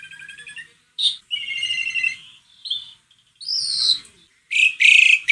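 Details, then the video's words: Song of an Asian pied starling meant to stimulate a silent bird: mixed whistled tones, a sharp rising note, drawn-out buzzy phrases and a loud harsh burst at the end. "Kicauan burung jalak suren gacor"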